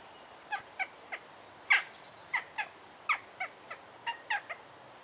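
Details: Juvenile jackdaw in Alkmaar, Netherlands, gives a loose series of short, sharp, slightly nasal 'chak' notes, about a dozen in five seconds at an uneven pace, against quiet background hiss.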